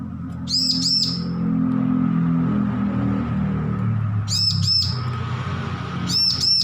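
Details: Recently weaned young bar-winged prinia learning to sing gives three short bursts of paired, high arched chirps several seconds apart. Loud low rumbling background noise fills the gaps.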